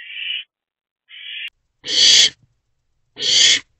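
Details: Owlet in a nest box at night, 3 am on 24 April 2024, while eating a large rodent: two thinner, shorter hissy notes followed by two loud, broad, harsh rasping hisses, about one every second.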